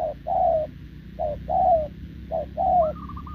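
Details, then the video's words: Short-legged wild spotted dove cooing to a decoy, 6 November 2024: three quick couplets, each a clipped low note followed by a fuller falling coo, ending in a higher quavering note over faint hum. "Bổi đồng chân lùn | Bo mình chắc đẹp | gù liền với mồi Đồng TT"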